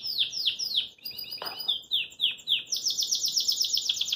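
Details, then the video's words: Caged Belgian canary singing lively while hopping about its cage: a run of sharp downward-sweeping whistled notes, a brief buzzy rattling phrase, more descending slurs, then a rapid high rolling trill to the end. "Canário Belga Dá Um Super Show de Canto"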